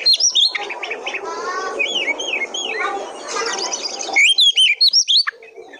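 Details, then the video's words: Oriental magpie-robin song used to prompt other birds of its kind: rich rising and falling whistles and chattering notes, then a burst of loud, rapid, clipped phrases repeated in quick rhythm. "Pancingan Kacer Paling AMPUH,Untuk Pancingan kacer BAHAN agar Cepat Gacor"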